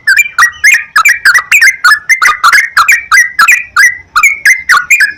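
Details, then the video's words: Sooty-headed bulbul song used to coax singing: continuous rapid sequence of rich, bubbly whistled notes, about three per second, without pause. "PANCINGAN BURUNG TRUCUKAN TERAPI PAGI,SIANG,MALAM,AGAR TRUCUKAN RAJIN GACOR"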